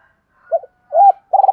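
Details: Spotted dove coo used to stir decoy birds in training: a short low coo, then a longer arched coo rising and falling, followed by a quick run of rolling, pulsed low notes.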